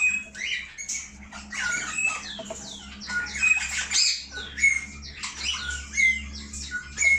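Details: Cockatiel breeding pair in an aviary: clear, repeated whistled chirps and short rising and falling squawks, several overlapping, with a steady low hum underneath.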